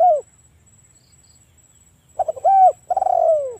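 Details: Spotted dove giving its one-kuk luring call: the tail of one phrase, a pause, then a stuttering coo, a clear coo, and a long rolling coo falling in pitch.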